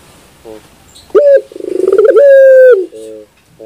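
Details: Barbary dove delivering a loud coo phrase: a sharp opening note, a fast stuttering pulsed section, then one long steady low note that drops away, followed by soft short hums.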